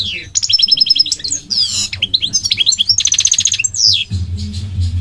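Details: Migratory goldfinch delivering a loud, fast song of ringing trills, rattling chirp series and sweeping notes, with a low rumble near the end.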